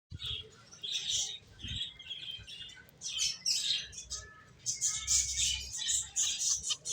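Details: Several finches chirping together, a busy stream of short, high, bright tweets and twitters in overlapping bursts, with brief pauses and a faint low rumble beneath.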